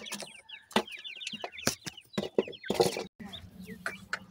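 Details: A brood of partridge babies calls in a steady stream of sharp, falling peeps, broken by loud clatters and bumps, then a quieter stretch with a low hum.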